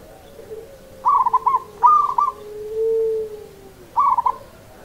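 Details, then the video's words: Three brief phrases of rattling, pulsed cooing from a local zebra dove in the rhythmic seni irama song style, spaced about a second apart, with a faint humming tone underneath. "SUARA PERKUTUT LOKAL SENI IRAMA"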